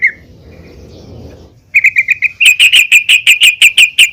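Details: After a soft opening note and low background murmur, a female yellow-vented bulbul gives a steady series of sharp, evenly spaced chirps, calling other bulbuls to sing.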